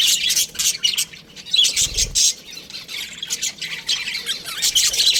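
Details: Baby budgerigars in an aviary chirping: dense, overlapping high squawks and chatter in rapid bursts, nearly continuous, with a brief low thump partway through.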